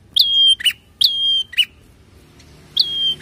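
A prinia gives sharp, high notes that bend downward into level whistles, alternating with short buzzy chips, about one phrase every half second.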